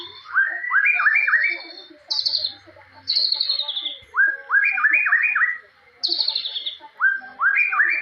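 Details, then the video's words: Loud, clear song of a forest white-rumped shama with cililin-style shots, bright upward-slurred whistles in quick series alternating with high falling trills, recurring in steady phrases. "Murai Batu Gacor Full Nembak Jalilin"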